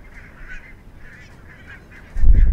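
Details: Wintering flock of barnacle geese from the Svalbard breeding population, up to 30,000 birds, at Mersehead reserve, Dumfries and Galloway, Scotland, November 2011: many overlapping short, yapping, bark-like calls, ending in a loud low rumble of wind.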